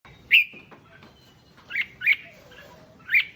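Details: Red-whiskered bulbul song played to excite other bulbuls: a few sharp whistled notes around mid pitch, one at the start and a quick cluster of three near the end, separated by a quiet gap.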